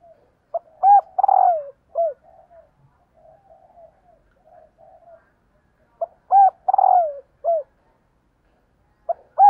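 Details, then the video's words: Female spotted dove luring males with her call. A phrase of a short note, a looped double coo, a long rolling falling coo and a brief final coo is given twice, about five seconds apart, with soft low murmurs between. "CU GÁY MÁI KÍCH TRỐNG"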